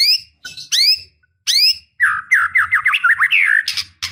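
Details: Female white-rumped shama in breeding condition calling the male: several sharp upswept whistled notes, then a rapid run of buzzy, warbling notes wavering around a steady middle pitch.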